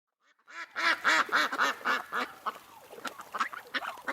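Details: Wild ducks quacking: a loud run of about a dozen harsh, nasal quacks, several per second, strongest at first and then fading into softer, choppier calls.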